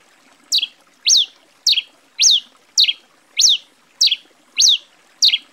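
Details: Grey pileated finch (tico-tico-rei-cinza) from Brazil delivering a steady run of nine high, sharp chirps, each a quick upward sweep and steep fall, repeated nearly twice per second with faint water in the background.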